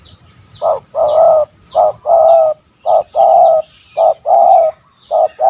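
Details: Spotted dove, a stuttering bird with a big voice of the 'kuk 1 2' style, targeted by hunters in Malaysia: loud, low, hollow coos in short-then-long pairs, repeated steadily about once a second, over faint thin descending chirps from other birds.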